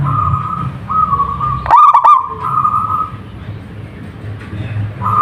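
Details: One burst of quick, bubbling trilled coos from a local zebra dove, set between longer faint steady tones and a low background hum.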